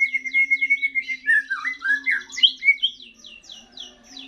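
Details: White-rumped shama, a young bird singing for the first time after its moult: a level whistled note, then twisting warbled phrases and a quick run of repeated buzzy downslurred chips, with a low hum throughout.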